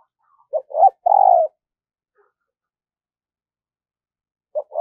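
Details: Decoy spotted dove singing to lure wild doves: one full phrase of a short note, a rising coo and a long falling coo, then a lone short note after a pause.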